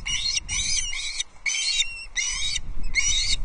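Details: Osprey chicks at a Scottish Highlands nest, Loch Arkaig, disputing a fish; drawn-out harsh, strained screeching bursts, each about half a second long, separated by short gaps, over low wind noise.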